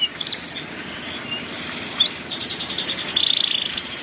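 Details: Canary song in the ngeriwik style, used to teach young canaries: sparse high chirps and short sweeps over steady hiss, then a rapid trilled stretch of fast repeated notes near the end.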